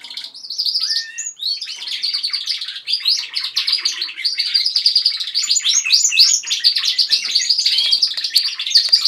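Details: Several pet canaries singing together indoors at home: a dense, continuous chorus of rapid trills, chirps and warbled runs overlapping for the whole stretch.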